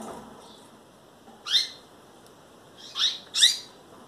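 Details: Female double-collared seedeater in a breeder's collection, nearly ready to breed and calling insistently: three short, bright upswept chirps, the last two close together, over a faint steady background hiss.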